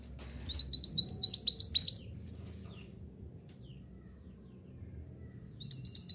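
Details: Mantenan gunung chirping for caged-bird song therapy: a fast burst of about ten sharp, high, repeated chirps lasting roughly a second and a half, a pause of near silence, then the chirping starts again.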